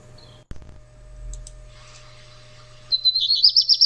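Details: A Black Redstart sings a brief high, crackling phrase that wavers rapidly, about four pulses a second, at the end, like crumpled paper. A steady low hum and faint rustling come before it.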